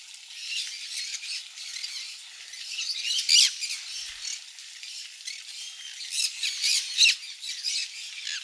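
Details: Several conures at a parrot farm in Daegu, eating mealworm egg food, give harsh, grating squawks and chatter in bursts, louder peaks every couple of seconds, with several birds overlapping.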